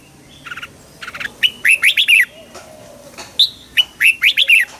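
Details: Red-whiskered bulbul singing to stir up a kept bird: loud bursts of bright chirpy notes, a short cluster near the start, then a run of rapid rising-falling whistled phrases, repeated after a pause.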